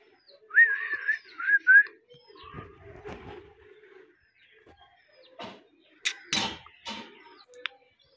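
An Alexandrine parakeet gives three quick whistled, rising speech-like notes, then soft murmuring, followed by a few harsh squawks and clicks.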